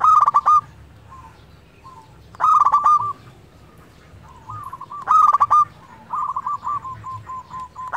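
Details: Singing local zebra dove, played to rouse lazy doves into song: loud throaty rolling bursts recur about every two and a half seconds, separated by softer stuttering coo phrases.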